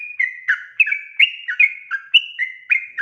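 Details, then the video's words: Bulbul lure song, sooty-headed bulbul: around ten crisp, slurred notes in three seconds, each note pitched slightly differently, giving a chattering, rollicking phrase with no other sounds. "panggilan suara trucukan gacor efektif untuk pancingan burung trucuk bahan agar bunyi"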